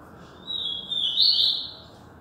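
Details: Yellow-bellied seedeater from Alagoas, Brazil, delivering one drawn-out high whistle that gradually rises in loudness into a quick vibrating warble before fading, over a soft constant background hiss.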